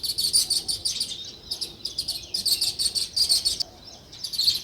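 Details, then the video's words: Rhythmic sparrow chirping, quieter and more spaced: short high tweets in rapid clusters separated by small gaps. "Natural Sparrow View and Sounds | Chirping Sounds"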